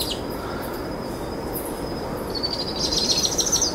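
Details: Two powerful owl chicks being fed a brushtail possum by their mother after dusk give a thin, high, steady trill that grows louder and more rapidly pulsed near the end, over a low background rumble.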